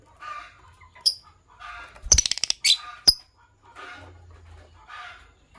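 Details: A pair of green Fischer's lovebirds singing and chirping in the morning: scratchy, buzzy chirp bursts with sharp clicks and a quick rattling series near the middle, then softer chattering phrases.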